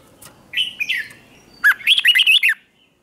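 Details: Red-whiskered bulbul singing at dawn to provoke captured birds into contest song; a slurred whistle opens, then a lively rapid string of up-and-down warbled notes ends abruptly.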